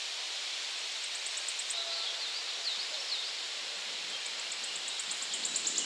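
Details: Wood warbler recorded at 51.943910, 20.116144: two bursts of very high, thin ticking notes that speed up into a shivering trill, over a steady rushing background hiss.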